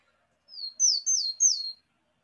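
Willow tit song: four clear, plaintive descending whistles, 'pew pew pew', each sliding down, spaced about a third of a second apart; nothing else heard.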